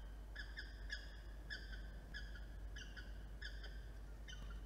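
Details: Peregrine falcon calling at a nest camera in New South Wales during incubation of a three-egg clutch, on a morning with many arrivals and departures; harsh, ringing, harmonic notes repeated about every half second, with a low steady hum beneath.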